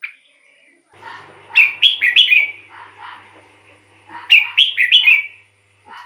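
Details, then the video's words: Red-whiskered bulbul song used to lure wild birds or excite caged ones: two loud warbled phrases of quick bright notes, over a murmuring background of lower chattering and faint hum. "เสียงนกกรงหัวจุก สำหรับต่อ หรือ เปิดให้นกคึก เสียงเพราะๆ"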